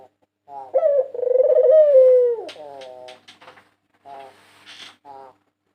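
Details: A national champion white dove from 2022, whose song serves as a lure, gives a rolling trilled coo that holds level and then slides down. Clicks and short softer coo phrases follow in a quiet room.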